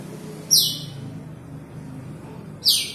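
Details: Two loud, piercing downward-sweeping whistles from an Asian glossy starling calling to a rival, spaced about two seconds apart, with a low humming background.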